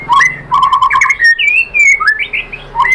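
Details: White-rumped shama lure song aimed at provoking a bird to sing: low gurgling warbles, then long clear sweeping whistles and sharp bright notes.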